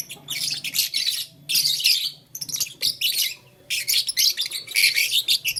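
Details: Playing with a flower, blue, lutino and green lovebirds chatter in grating, high-pitched chirp bursts separated by brief silences, ending in a rhythmic string of quick notes.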